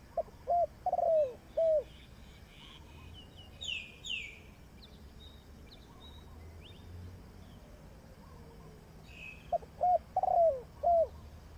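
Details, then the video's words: Spotted dove used as a trapping decoy gives two low coo phrases, one at the start and one near the end. High, sharp whistles from another bird fill the quieter middle stretch. "Sound Of Spotted Dove is so good"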